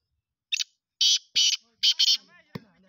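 Black francolin giving a short note, then four loud, harsh, grating bursts in a quick rhythmic series, followed by a click and a faint human voice.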